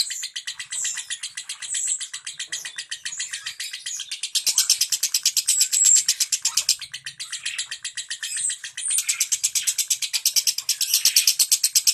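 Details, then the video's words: Dense "ngentik rapat" lovebird song used to stimulate silent birds to sing: long, fast stream of piercing high chips, swelling louder in bursts with a few clearer whistled notes mixed in, steady throughout without pauses. "Suara Lovebird NGENTIK Rapat"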